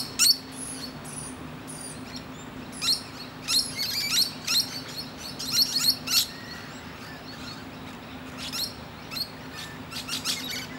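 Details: Perched musk lorikeet chatting with nearby birds: scattered shrill, scratchy chirps bunch up mid-way, then thin out into sparse, quieter screeches against a low steady hum.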